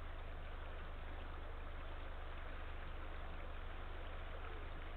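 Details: A low idling engine rumbles steadily under a broad hiss, with no animal sounds.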